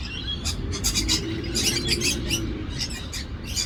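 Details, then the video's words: Parrots fighting in Australia: rapid, overlapping harsh squawks and chirps tumbling out several per second, with a constant low rumble underneath. "Parrots fighting in Australia."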